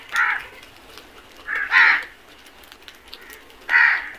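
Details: Crows flocking to food, three to four medium-loud raspy caws spaced irregularly over light background noise.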